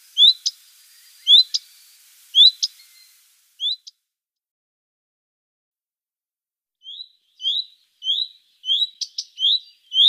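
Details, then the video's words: Common redstart calling "fuid teck": rising whistled notes mixed with sharp clicking ticks, a first burst of paired calls, a pause, then a faster series of upslurred whistles with ticks near the end. "Rufe: Gartenrotschwanz"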